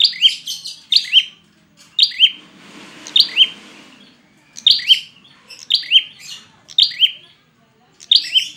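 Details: Prinia calls used to stimulate reluctant birds to sing: sharp high chirped phrases with rising-falling notes, repeated about once per second, with a brief noisy rustle in the middle.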